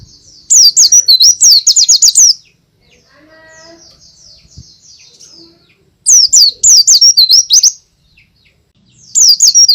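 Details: White-eye singing loudly, a song used to lure other birds: three bursts of rapid, high, looping whistled notes, eight or more per burst, with quiet gaps holding a faint steady whistle and distant chirps.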